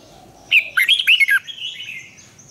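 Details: Red-whiskered bulbul singing a fired-up training song in the competitive 'twisting voice' style. A sudden burst of five or six loud, warbled notes jumps up and down within about a second. A softer, thin whistled trill trails after it in a quiet setting.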